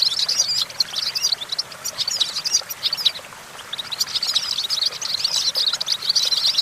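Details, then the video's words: European goldfinch singing from a branch: bright, bubbling runs of high twittered notes, a brief lull near the middle, then a dense, busy stretch of chirps and trills. "Discover the stimulating sounds of the natural the goldfinch"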